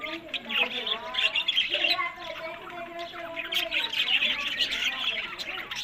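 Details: Captive budgerigars in a breeding setting, Larkana, Sindh, giving dense warbling chatter: many overlapping squeaky chirps and scratchy trills with short rising and falling tonal notes, continuous for about six seconds, no other clear sounds.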